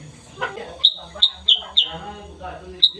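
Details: Sooty-headed bulbul, black and yellow, singing in the morning on 16 September 2021: a string of sharp, high, downslurred chirps, several in quick succession and unevenly spaced, with a person talking softly underneath.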